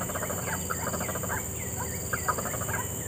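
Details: A wild White-breasted waterhen in scrubland habitat within a developing area gives harsh, croaking kwak notes in a rapid, uneven run, over a steady high insect drone.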